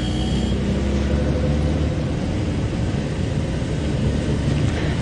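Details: No animal is heard, only the deep steady rumble of a running vehicle engine with low droning tones throughout.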